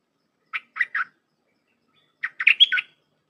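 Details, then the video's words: Red-whiskered bulbul singing 'dok taeng' style song for hand-reared young birds to learn: three clipped chirps, a pause, then a fuller phrase of quick notes ending in a bright, bending whistle. "เสียงนกดอกแตงEp.129เปิดหัดลูกป้อน/ลูกเสอ เพลงแน่นๆ สับดอกล้วนๆ"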